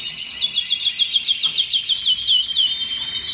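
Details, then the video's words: Canary song delivered as a fast run of repeated downward-sweeping high notes, about three or four per second, over a sustained high tone, with a brief softer ending. "کەناری الكناري canary bird"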